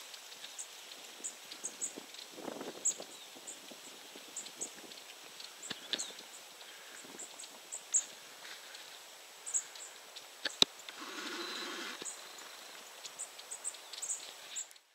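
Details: Long-tailed tits in central Poland (51.91N, 20.18E) give thin, very high ticking and lisping calls scattered throughout, over soft background noise with two brief rustling bursts.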